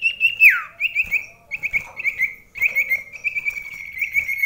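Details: Common iora singing in competition with another bird at very close range indoors, kept birds; bright whistled notes around a steady pitch, with a downward slur at the start, repeated trilled phrases, and chirps throughout.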